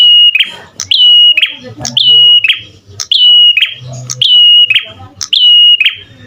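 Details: Prinia repeating a clear, level whistled note, each held about 0.4 seconds after a short click, given roughly once a second in a regular series. Quiet low hum in the background.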